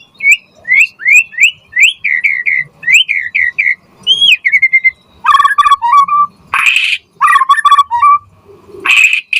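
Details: White-rumped shama (murai batu) singing hard, for prompting and tutoring other shamas: series of crisp, slurred whistles in quick succession, then lower fluty phrases broken by harsh, noisy bursts.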